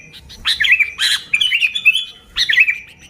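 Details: Sooty-headed bulbul singing to attract other bulbuls, a bubbly chirping phrase with quick twisting whistles and a sustained trailing note, then a fresh burst.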